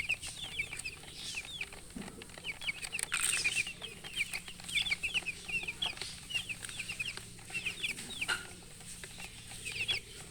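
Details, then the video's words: Chickens keep up a chorus of thin, high, upswept peeps in irregular clusters, with a faint low background hum and a few soft bumps. "silly chicken chirping sounds with murgi hen color chicken"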